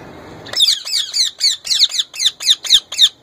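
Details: Young male plum-headed parakeet, a kept bird, trying to talk and copy a ringneck parrot's voice: a quick run of about ten harsh, chattering notes, each dipping in pitch, after a short quiet start.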